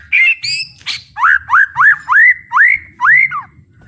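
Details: Murai batu, the white-rumped shama, singing at full power with fighting spirit. A few high notes are followed by about six loud, evenly spaced upslurred whistles.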